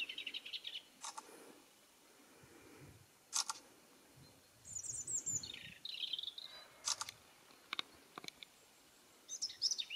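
A European robin sings short, high, thin warbling phrases separated by pauses. Sharp clicking noises cut in several times.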